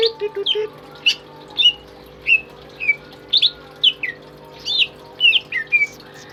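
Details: Caged, tame greater green leafbird kept as a singing tutor, giving a few low soft notes at first, then spaced clear whistled phrases. Each phrase slurs up or down, separated by short pauses, over a quiet indoor hum.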